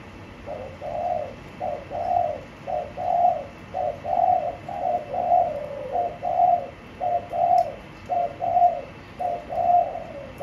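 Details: Spotted dove in a blue-floored cage coos rhythmically: about ten evenly spaced, mellow two-syllable phrases, each dipping slightly in pitch, delivered at a regular pace.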